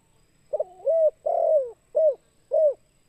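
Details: 'Kuk 2' style Spotted dove call used as a lure for wild doves. A quavering rolling coo runs into a drawn-out, slightly falling coo, followed by two short crisp coos about half a second apart. Nothing else is heard behind it.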